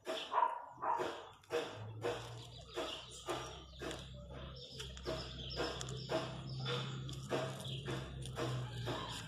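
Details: Wild chachalacas (guacharacas) in the countryside call with coarse, scratchy notes repeated roughly twice a second in an uneven chorus, over a steady low hum.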